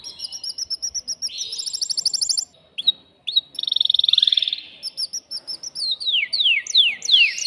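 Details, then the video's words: Excited caged male canary singing to stimulate a female to mate: rapid rolling trills, a buzzy high tour, a smooth sliding phrase, then a run of quick descending whistled slurs, bright and continuous. "تغريد ذكر كناري هائج يريد تكسير القفص يحفز الأنثي لتزاوج"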